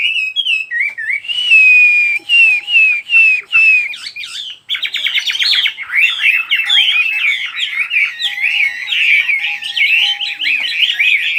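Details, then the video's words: Birdsong that opens with several separate clear whistled notes, each falling slightly, then breaks into a long, dense, rapid twittering chorus of many overlapping chirps. "Chỉ có nghe chim hót là tâm hồn thanh thản nhất."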